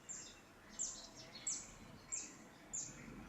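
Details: A Great crested grebe gives sharp, very high piping notes, five in just over three seconds at a steady pace, over a soft outdoor hiss.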